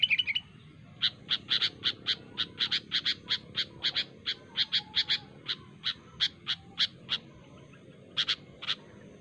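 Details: Natural recording of a sooty-headed bulbul calling rivals. It gives a long series of sharp, evenly spaced high notes, roughly three a second, with a brief pause before a final pair, over soft background hiss.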